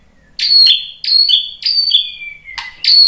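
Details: White-rumped shama singing to stimulate other shamas: loud, sharp, high chips repeated about every half second, each dropping into a short down-slurred whistle. The last note trails off lower. Clean background.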